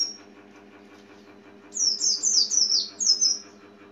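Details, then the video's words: Oriental white-eye (Zosterops palpebrosus) giving a quick run of high, thin, slurred notes, about five in under two seconds, over a low steady hum. "The Oriental White Eye"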